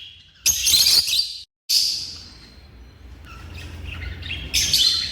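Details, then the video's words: African lovebirds giving loud, harsh, buzzy shrieks: two bursts close together at the start, a quieter chattering stretch, then another grating screech at the end over faint background hum. "The Vibrant Sounds of African Love Birds"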